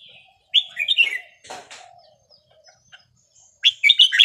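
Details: A small Vietnamese red-whiskered bulbul, caged and aged 10-plus, sings in counted-phrase (nap dok) style: a rolling whistled phrase, a brief rustle like fluttering wings, then a second bright, rapid run of warbled notes.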